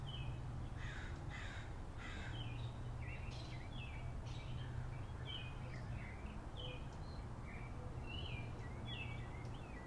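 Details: Several birds chirp in a backyard, with a busy run of short, sharp, repeated chirps and twitters throughout, over a steady low hum.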